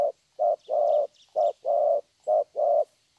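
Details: Young wild-caught spotted dove in Vietnam singing in the 'thổ' style, praised for good voice: low hollow coos in short-then-long pairs, three pairs after an opening note, with a faint high hiss behind.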